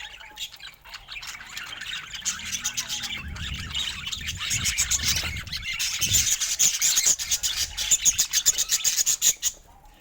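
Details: Rapid budgerigar twittering builds into a dense run of sharp, quickly repeated chirps, with some low rustling underneath.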